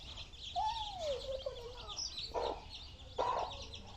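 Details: Baby chickens at feeding time, giving high, thin, rapid peeps throughout, with a lower drawn-out gliding note that dips and flattens, followed by two short harsher bursts.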